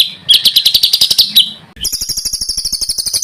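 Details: A small bird's rough 'tembakan' phrases, recorded as master audio for training contest songbirds: a loud rattling run of ticks, a short break, then an even, very high, rapid trill of repeated notes.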